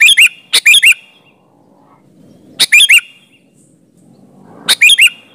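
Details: Sooty-headed bulbul singing actively, used as a lure to make other bulbuls answer: short, loud, bubbly phrases of three to four quick whistled notes with rising hooks, separated by pauses of about two seconds.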